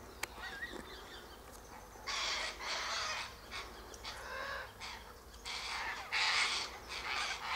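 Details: Sulphur-crested cockatoos gathering high in a silky oak tree, eating seeds from the pods; harsh, raspy, broadband screeches come in three long bursts separated by quieter gaps, with a brief human voice near the start.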